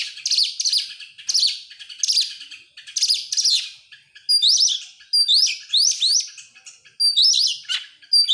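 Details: Oriental magpie-robin song used as a lure to get other birds singing: bursts of harsh, buzzy high notes in quick clusters, then sharp rising whistled sweeps repeated about every second, with no other sounds.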